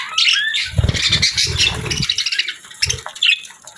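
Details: Pet budgerigar giving bright, rapid chirps and a short rising whistle, then a busy chatter of clicks and squeaky notes, with soft low thumps underneath between one and two seconds.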